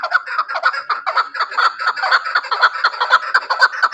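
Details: Chukar partridge kept for hunting calls in dense, overlapping chuck notes at about two per second. The burst sounds busy and continuous.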